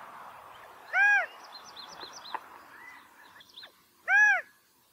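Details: California quail giving two loud, nasal, arched single notes about three seconds apart, described as mating calls, with thin high chirps of small birds between them.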